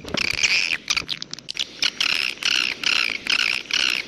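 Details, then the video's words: Edible-nest swiftlet, jaguar style: short buzzy, rasping chirrs repeated roughly every half second in a steady series, after a few scratchy notes at the start. "SUARA WALET jaguar BURUNG WALET"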